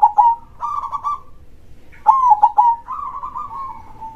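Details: Perkutut, the zebra dove, singing loudly in krosing style: a short coo and a long bubbling trill, then a sharp rolling phrase followed by an extended, fading trilled coo.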